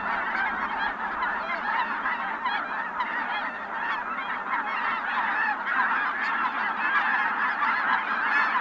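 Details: Wintering flock of Ross's geese in the wetlands of Merced National Wildlife Refuge, California, January 26, 2021, with other geese, coots and ducks present; a dense, continuous chorus of many overlapping, nasal, high-pitched honks with no pause.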